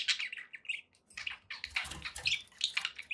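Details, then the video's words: Pet budgerigars chattering happily, overlapping high chirps and rasping warbles over a faint low rumble in the background. "happy budgie sounds"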